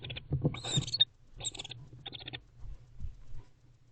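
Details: A bonded pair of wild barn owls together in and on their nest box at 10:11 pm on October 27, 2023, during winter courtship, behaving affectionately. Three bursts of raspy, hissy chittering are followed by soft low thumps and rustling.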